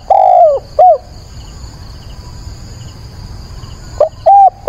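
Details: Decoy spotted dove calling at dawn, 22 October, to provoke wild doves: a long downward-slurred coo and a short note, about three seconds of quiet with faint insect chirps, then two more short mellow coos.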